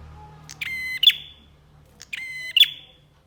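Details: Energetic bar-winged prinia on a songbird training recording: two quick buzzy phrases about one and a half seconds apart, each a nasal harmonic tone finished by a bright, sharp upward click.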